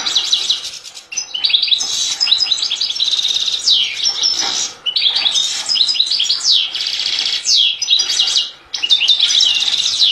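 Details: European goldfinch (Carduelis carduelis) sings a fast, continuous tinkling stream of high twittering notes, liquid trills and buzzy chirps, with only brief pauses.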